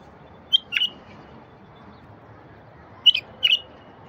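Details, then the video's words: Wild bulbul song aimed at making silent bulbuls sing: a sharp note and a short warble, a pause of about two seconds, then the same brief whistled phrase repeated twice more. "تغريد لفتح البلابل الوحشية الساكتة"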